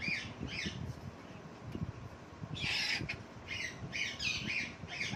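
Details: Parrot perched on a lemon plant giving harsh, raspy squawking bursts, a few short ones at the start, then a louder run of rapid repeated squawks over the last half, with low rustling and background noise throughout.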